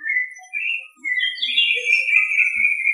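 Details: A male Ruddy-breasted seedeater gives clear, sweet whistled notes: two short whistles, then a long, slightly wavering high whistle drawn out for about two seconds.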